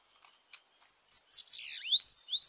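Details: Bananaquit (sibite) singing in a campiada singing contest: soft high ticks build into buzzy, sibilant clusters, then two bright whistled upslurs near the end.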